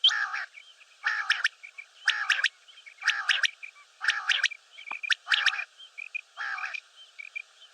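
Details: Common quail calling: sharp, clipped bursts of several quick notes, repeated about once a second in a steady series with short silent gaps between phrases, on a clean background.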